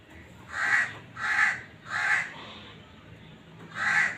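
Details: Black francolin breeding call: four harsh, grating notes, the first three evenly spaced about 0.7 seconds apart, then a pause before a fourth; faint background hiss.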